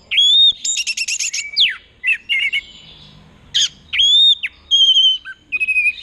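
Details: Caged orange-headed thrush in Mojokerto, Indonesia, in 'teler' courtship singing: a clear rising whistle, a dense chattering burst, downward slurs and twittered phrases, with a pause before fresh whistles and quick trills.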